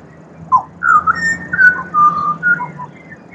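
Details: In Australia, a pied butcherbird (Cracticus nigrogularis) sings a string of rich, fluting whistles, some gliding and some held steady, wandering between low and middle pitch in a slow, musical phrase.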